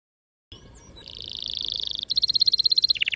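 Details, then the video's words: Canary, a lively long-rolling singer used as a lure to train young canaries to sing, delivering a rapid trill of repeated notes that shifts into a louder, faster pulsed roll and ends on a lower note. "PANCINGAN KENARI GACOR PANJANG || PANCINGAN KENARI PAUD BELAJAR BUNYI || MASTERAN KENARI PAUD"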